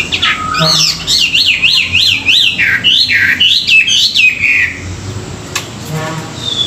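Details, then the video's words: Chinese hwamei in morning song used for song training, giving loud rapidly repeated rising-and-falling whistles, about eleven wavy notes in a row, then a long descending slur and a pause. "luyện giọng họa mi họa mi hót buổi sáng, kích bổi quá đỉnh"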